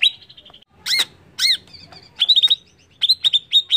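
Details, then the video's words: A greater green leafbird gives a brief high whistle, two rasping arched calls, then clusters of fast bright repeated notes; the song serves as a lure to make other birds quickly agitated. "PANCINGAN CUCAK IJO CEPAT EMOSI"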